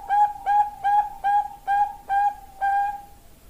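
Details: Female Bangkok zebra dove calling a male: seven bright, evenly pitched coos in a brisk run, the final note drawn out longer before fading, with little else audible.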